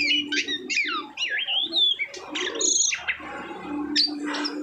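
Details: Asian pied starling after moulting, singing clear wavering whistles that slide up and down, separated by short scratchy notes, over a steady low hum.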